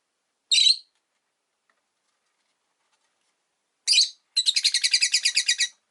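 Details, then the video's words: Pet rosy-faced lovebirds in a windowside cage, five birds: two separate harsh chirps, then a fast rhythmic run of about fourteen scratchy notes lasting roughly a second and a half. "Lovebird Chirping Sounds"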